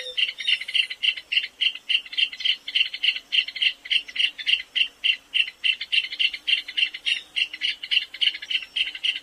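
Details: Small shy rail of drier South American thickets and pastures, delivering a steady run of high clicking, tinkling notes, roughly three or four per second, throughout.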